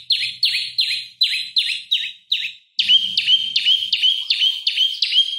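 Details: Olive-backed tailorbird singing briskly as a master and provoking lure for oriental magpie-robins: loud high notes falling in pitch, repeated nearly three per second, a brief pause, then a brighter, more ringing series continuing at the same pace.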